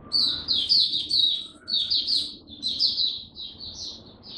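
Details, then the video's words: Oriental white-eye, a kept songbird on a first-day supplement trial, sings a steady stream of high, sweet, slurred twitters in quick groups, with faint low room noise. "Mata Puteh Buka Sing"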